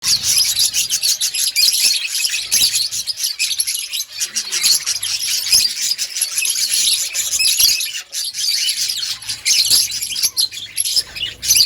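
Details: Budgerigars in an outdoor breeding colony, many birds chirping at once: a dense, continuous high chatter of scratchy warbles and squeaks with no pauses, plus a faint steady high whine.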